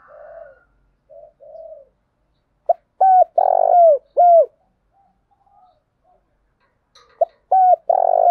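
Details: Spotted dove decoy calling to stimulate a newly caught dove to call: soft, faint coos first, then loud phrases of a short clipped note followed by long, low, slightly buzzy coos that fall at the end, repeated twice.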